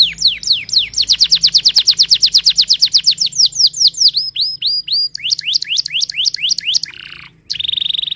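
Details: Canary song opening with a long rapid series of about twenty-five downward-slurred whistles, then hooked upswept notes, brief scratchy sounds and a sustained high buzzy trill at the end.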